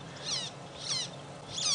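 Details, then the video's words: Magpie Shrike shouting behind feeding warthogs during a sunset safari drive, 25 February 2017: three scratchy, rasping calls spaced roughly 0.6 seconds apart over faint background hum. "It sounds like there's a magpie shrike that's shouting."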